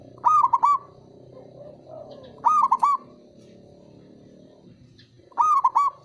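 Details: Male zebra dove, a local perkutut, calling as a lure to make mute or lazy birds sing again: three repeated phrases of bright, bouncy triple coos, about every two and a half seconds, over soft background noise.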